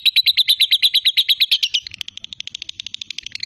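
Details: Ngekek from a lovebird to trigger fighter birds: a loud, regular run of ringing high pulses for almost two seconds, then the chatter continues softer and thinner until the end.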